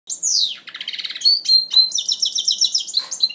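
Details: Goldfinch mule in its first moult, 2012: a rapid finch-like song of descending whistles, buzzy trills and twittering notes, continuous and varied.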